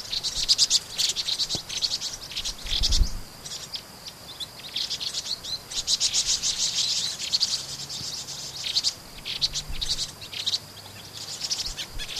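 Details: Vinous-throated parrotbills (Paradoxornis webbianus), a flock-living resident, in Pingtung City, Pingtung County, Taiwan, 16 March 2014, keep up busy, high, thin twittering in rapid chattering bursts, several birds calling over one another; a brief low thump early on.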